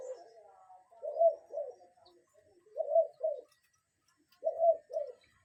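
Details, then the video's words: Real cuckoo calling in nature: low, soft two-note 'cu-ckoo' pairs, the second note slightly lower, given three times about every one and a half seconds in otherwise quiet surroundings, with faint background hiss. "Relaxing Cuckoo Bird Sound in Nature"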